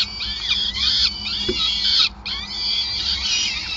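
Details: Feeding at a peregrine falcon nest in Groningen, 5 May 2020: strong, clear, high harmonic squeals, several overlapping and wavering, with one brief gap near the middle and a soft steady hum below.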